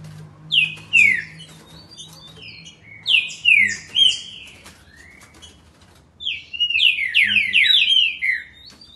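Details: Song of a green-winged saltator in Campinho, Jacarepaguá, Rio de Janeiro: bursts of loud, slurred whistles falling in pitch, given in three separate phrases with short pauses, the last phrase the fastest and densest.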